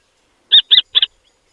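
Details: Common Kestrel: a female brooding six chicks a few days old calls from the nest, on edge as if sensing a threat, possibly nearby barn owls or tawny owls, giving three sharp, high, harsh kee notes in quick succession.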